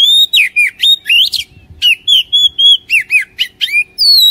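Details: Kacer (Oriental magpie-robin) lure song to get a lazy bird singing: continuous bursts of sharp, bright whistles with swooping slurs, about four notes each second, briefly broken once near the start.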